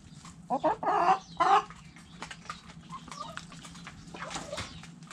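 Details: Backyard chickens in a coop, hens clucking: a few loud, harsh squawking clucks in the first second and a half, then softer scattered clucks and rustling with a steady low hum underneath.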